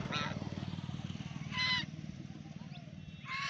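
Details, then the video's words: Duck playing in a pond, giving three short, harsh, nasal honking calls spaced roughly one and a half seconds apart, over a steady low droning hum throughout. "Duck Making Sound"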